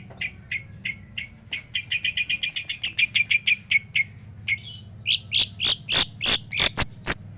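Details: Long-tailed shrike in full, harsh song: a fast run of about twenty clipped chattering notes that speeds up, followed by loud, sharp, separated high chips, with a low hum underneath.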